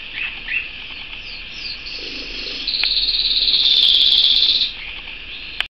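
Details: Pet canary song opening with a few scattered chirps and building into a long, loud, rapid rolling trill that holds for about two seconds before stopping abruptly, with faint background hum.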